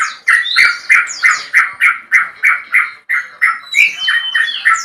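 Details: Male Yellow-vented Bulbul, long-crested, calling a rival as a lure sound. Evenly spaced, punchy chattering notes come about three per second, with thin whistled streaks overlaid.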